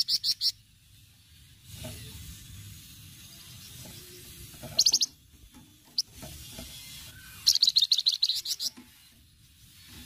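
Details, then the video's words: Flamboyan giving a lively cretetan song, used as a lure recording: three bursts of rapid, high, buzzy pulsed notes, harsh and rattling, separated by quiet stretches with low background hum. "cretetan flamboyan gacor"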